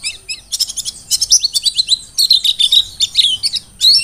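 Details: Vigorous song of a forest-caught Merapi mountain white-eye, recorded as a tutor recording for training birds: fast rattling strings of high chirps running into slurred, buzzy twitters, nearly continuous throughout.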